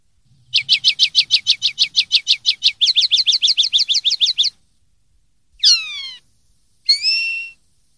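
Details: Common linnet delivering a clean song, as prized in Spanish silvestrismo: a long, rapid series of high metallic notes shifting into a second trill type, followed by a downward-sweeping whistle and a nasal twanging note.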